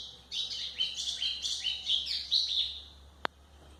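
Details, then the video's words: White-throated seedeater singing, a song used for training young birds. A lively stream of high, slurred chirps and short trills runs for over two seconds, then stops, followed by a single sharp click. "canto de golinha para foquear pássaros"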